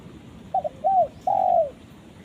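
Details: A spotted dove calls its companion: a quick double coo, a curved coo, then a long, loud descending coo, clear against a quiet background.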